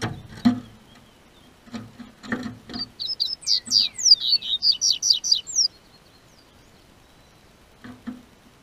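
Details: Double-collared seedeater (coleiro) kept by a registered amateur breeder in Brazil's southern region, singing as the weather warms in spring; one rapid phrase of high, sweeping whistled and buzzy notes lasting about two and a half seconds, among scattered knocks and clicks.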